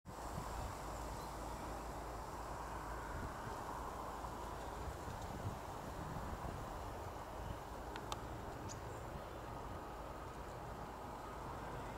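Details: Only a steady, low rumbling background like wind or distant traffic, with a couple of faint clicks near the end and no clear animal voice.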